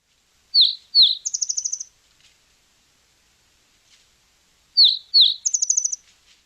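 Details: Spotted towhee song in Washington, given twice: two sharp high introductory notes, then a quick, bright trill of about eight notes, each phrase just over a second.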